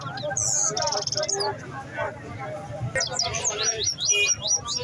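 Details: A Himalayan goldfinch sings a fast, tinkling run of high twitters and buzzy trills, with brief sharp notes; a low murmur of voices sits underneath.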